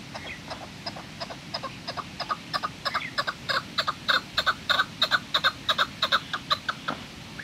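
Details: Chukar at Kachai Gulistan, 21 April 2020, starting with soft scattered chucks that swell into a loud, fast rhythmic clucking series, roughly three notes a second.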